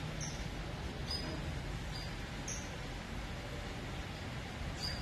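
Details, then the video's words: Saffron finch chick calling its mother: thin, high, short peeps at irregular intervals, about five in five seconds, over a steady low rumble and hiss of background noise. "Filhote de canário da terra chamando a mãe"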